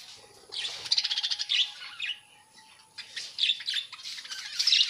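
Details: Budgerigars kept together in a breeding colony rather than cages, giving bursts of high, squeaky chirps and warbling chatter that come and go, with brief quiet gaps between busy stretches.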